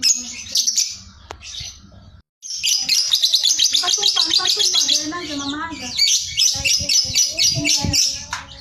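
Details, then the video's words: Sooty-headed bulbul in ngekek song, recorded as master song for contest birds: rapid shrill chattering after a short gap, dense trilled runs, and lower warbled notes midway, with faint voices in the background. "BALIBU Ngekek Jeda Rapet GACOR KONSLET"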